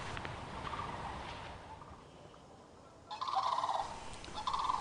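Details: Sandhill Cranes in a yard in Christmas, Florida, one morning during mating dances: rolling, trumpeting rattles from distant birds, then loud nearby answers in quick bursts as the pair calls back and forth, over a steady outdoor hiss.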